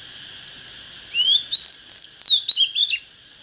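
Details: A single phrase from an oriental magpie-robin just coming into breeding form: a rising whistle, then five or six crisp notes dropping in pitch, over a steady high whine.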